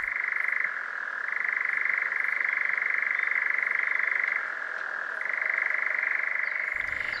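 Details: European nightjar churring in Poland, a sound of large pine forests, often near clearings and felled areas: an unbroken, dry mechanical trill lasting minutes that shifts slightly between two pitches every second or two.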